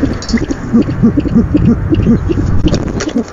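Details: Owl on a nest camera at night on 17 February 2015, as a bird makes its first food delivery of the night: soft, low, arched notes repeated irregularly about three times a second over a steady rumbling background hum.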